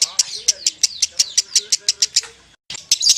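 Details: Lovebird singing in the Indonesian ngekek panjang style, a long trilling song: rapid, sharp, high chirps at about six per second in a steady run, a short break near the end, then the chirping resumes.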